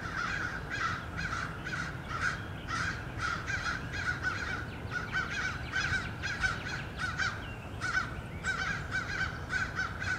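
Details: A large group of American crows attacking a male bald eagle returning to his nest in Norfolk, March 2016; dense overlapping harsh caws repeated without pause from several birds, over a constant low wind-like rumble.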